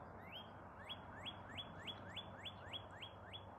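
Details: A Northern Cardinal sings about ten clear, rising whistled notes, roughly three per second, over a low hum. It is a very cold early morning on 21 February 2024 in the Boston area.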